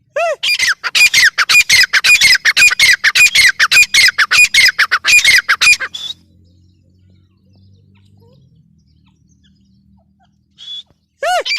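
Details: Grey francolin, known locally as teetar, gives a run of sharp, high, squawking notes, repeated quickly and fairly evenly for six seconds, then near silence with faint low hum before two brief notes at the end.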